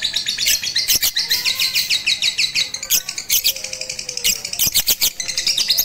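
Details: Rooftop training of a Batman lovebird with a master recording, 18 April 2021; loud, busy high chirps in quick bursts, mixed with short sharp clicks and faint lower whistles.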